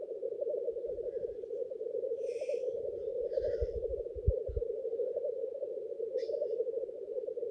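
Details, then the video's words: Continuous throaty bubbling from black grouse males at their lek, each holding a small territory to impress females; two or three hoarse hissing sneezes stand out above, with low knocks and thumps in the background. "Black grouse lekking behaviour"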